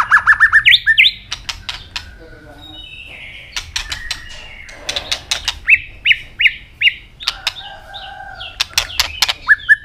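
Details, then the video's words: Song of an Asian robin: a fast opening burst of repeated chirps, then sharp clicks mixed with varied whistled phrases and short repeated notes, with brief pauses between bursts. "Robin singing"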